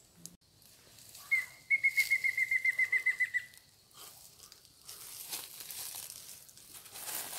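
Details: Mayan Antthrush recorded in Yucatán, Mexico, in March 2019 on a birding tour: a rapid run of about a dozen clear, evenly spaced whistled notes that sink slightly in pitch, followed by leafy rustling and wind.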